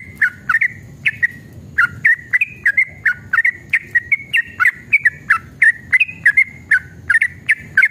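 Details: Yellow-vented bulbul singing vigorously, a long 'ropel' song used to provoke other bulbuls to respond. Bright, slurred whistled notes with crisp clicks come in a steady run of about two per second, some paired, with little background noise.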